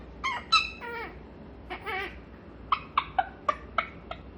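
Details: Grey parrot during its morning chatter session, a pet kept indoors; a few drawn-out wavering vocal sounds followed by a quick series of five or six sharp clicks or chirps spaced evenly.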